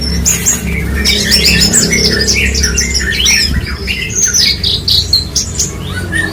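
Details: A parva Horsfield's bushlark used to tutor songbirds sings a dense, varied stream of squeaky whistles, harsh chirps and quick trills, becoming more clipped and staccato in its second half, over low hum.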